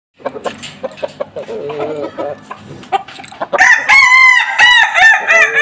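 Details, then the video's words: Kukuak balenggek rooster out being sunned: soft scattered clucks open, then a loud, ringing, harmonic crow breaks in and carries on in several linked segments until the end. "Keseruan jemur ayam kukuak balenggek"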